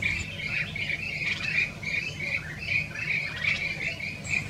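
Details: Olive-backed pipit recorded in February 2021 near Bhakrakot village, Mohaan, Almora, Uttarakhand, giving a steady series of thin, chirpy notes, about two or three per second, against a low rural background rumble.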